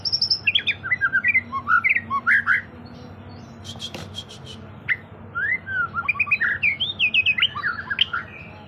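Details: White-rumped shama in full, vigorous song, meant to make other birds sing. A rapid run of varied slurred whistles, rising and falling, then a brief pause and more quick whistles over a steady background hum.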